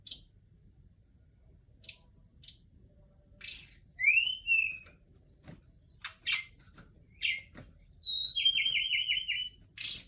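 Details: Forktail (tledekan gunung) song starting with sparse high ticks, then slurred rising whistles and ending in a fast series of five repeated descending notes.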